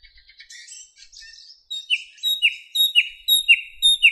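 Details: Moscow park, May 2016 morning: after soft, muffled warbling, a thrush nightingale gives six evenly spaced, loud, downslurred notes, roughly two every second.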